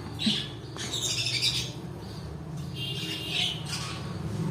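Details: Harsh, screechy cockatiel calls from pet birds come in two separate clusters a couple of seconds apart, against a low droning background.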